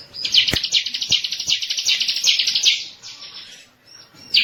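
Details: Bar-winged prinia (ciblek) master lure recording: a bright, fast, slightly uneven high trill running about three seconds and fading out. It is broken by sharp tapping clicks, and a brief thin note follows.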